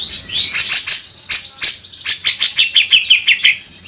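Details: Grey-cheeked bulbul in harsh 'beset kasar' song, recorded as a tutor for songbirds, gives a steady string of sharp, buzzy, high chips, about three per second, falling slightly in pitch toward the end.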